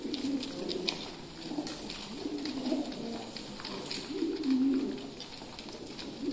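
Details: Fancy pigeons at feeding time, low rolling coos rising and falling among scattered higher clicks and pecking noises in a busy, echoing space.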